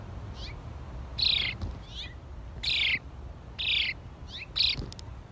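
House sparrow giving loud, harsh chirps, four main ones about a second apart, with softer chirps between them over a low background hum.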